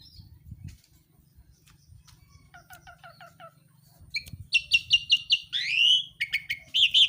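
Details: Songbird in active, chattering song (gacor): soft ticking notes at first, then a loud burst of rapid repeated chips, a rising-falling whistled slur and sharp trills, over a low background hum.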